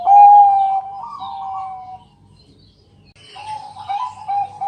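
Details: Zebra dove of the Bangkok type, singing loudly at night as a lure to draw other doves into song: low, mellow cooing notes, a clear held tone, then a wavering rolled phrase, a short silence, and another warbling coo.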